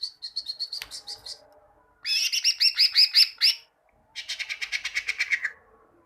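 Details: Caged greater green leafbird song used for training other caged birds to sing: three bursts of rapid, bright chirped notes, the first a quick run of high twittering, then loud repeated ringing phrases, then a fast trill.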